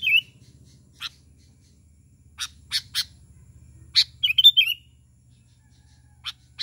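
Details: Sooty-headed bulbul calling to lure other bulbuls: a brief liquid burble, spaced crisp chirps, a cluster of chirps running into a bubbly warbled phrase, then two final chirps over soft low hum.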